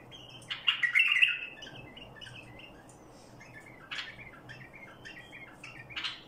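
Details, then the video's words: Bulbul of the Badrawi kind singing barwaz, opening with a loud, liquid warbled phrase, then softer scattered chirps and short notes over the next few seconds against a low steady hum. "برواز بلبل بدراوي"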